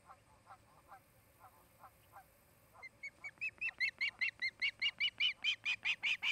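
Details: Osprey at a nest in Charlo, Montana, in August afternoon, gives a series of sharp, whistled chirps, about two or three a second, starting faint and low and then growing loud, high and insistent.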